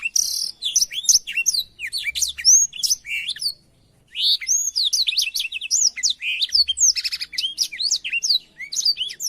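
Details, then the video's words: Black-throated canary song used as a master tutor for canaries: a fast, high, tumbling warble of sweet twitters and trills, broken by one short pause, with no other sounds. "suara burung blackthroat"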